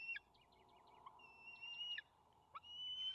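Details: A juvenile bald eagle in the nest as the adult male arrives with fish, May 28, 2020, on a nest camera. A few soft chips, then a long thin whistle, a pause, and another rising whistle.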